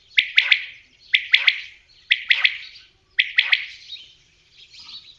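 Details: Loud common quail call: a crisp, liquid triple note repeated four times at roughly one-second intervals, each phrase falling away into a short trailing buzz.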